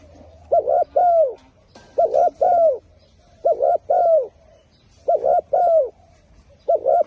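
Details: Turtle dove cooing in a low, soft voice. About five two-part phrases, each a quick hoot followed by a drawn-out coo that drops in pitch, repeat roughly every one and a half seconds against a quiet background.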